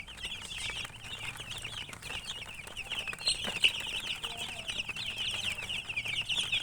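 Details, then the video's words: Baby chicks chirping: a steady flow of high, wavering peeps from several birds, with occasional louder single notes and light tapping sounds. "Chicks Chirping"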